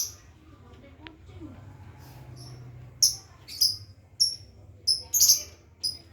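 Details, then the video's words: Lovebird learning ngekek, the long trill: a string of short, thin, very high chirps, some doubled, repeated roughly every half second, with a low hum and a click early on. "burung lovebird belajar ngekek"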